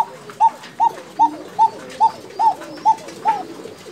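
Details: Steady, evenly spaced arching notes come from a Bashiraj koka fancy pigeon in Tangail, about two and a half per second, with soft low coos faintly underneath.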